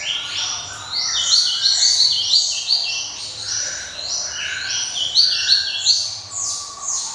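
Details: Java sparrow delivering a busy ringing song of overlapping bright high notes, quick clinks and sliding whistles, with lower slurred notes between loud phrases.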